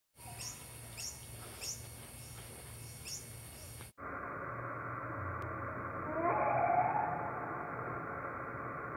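A Long-billed hermit gives thin, high squeaky chirps about twice a second over steady hiss, then the same call plays slowed into a lower, drawn-out warble.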